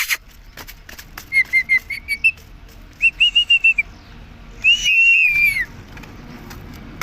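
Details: Pet rose-ringed parakeet speaking "mummy" without stopping; quick runs of short bright notes in two bursts, then a longer warbling, slightly falling phrase, with light background hiss.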